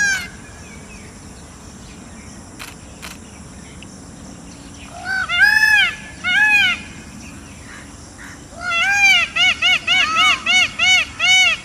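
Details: Peacock, India's national bird, calling after about five quiet seconds of faint background hiss: two loud arched nasal notes, then a rapid run of about nine short, even, upward-bowed cries.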